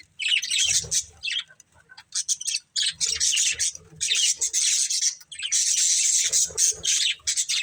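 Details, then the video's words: Budgies in a family group chattering in dense bursts of scratchy, warbling chirps, with short gaps between phrases and faint low thumps beneath. "Cute Budgies Chirping Sounds"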